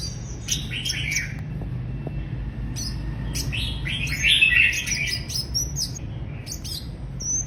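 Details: Mrs. Gould's sunbird giving rapid high chirps and short sliding twitters in loose bursts, with a brief louder buzzy phrase midway and a steady low background rumble.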